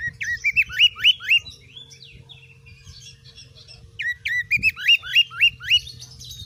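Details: Oriental magpie-robin in vigorous song for training other birds to fight: two bursts of rapid, evenly spaced upslurred whistles separated by a quieter spell of scratchy notes.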